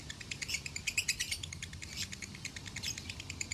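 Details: Lovebird kept at a farm in Salatiga, Indonesia, recorded as a master tutor song for training other birds, a long konslet-style singer; rapid dense chattering trills of high squeaky notes, pulsing several times a second with a low hum beneath.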